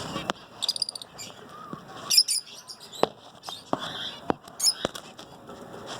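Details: Zebra finches singing in the morning: short nasal, buzzy harmonic notes in scattered bursts, brightest around two and four and a half seconds, mixed with sharp clicks and taps.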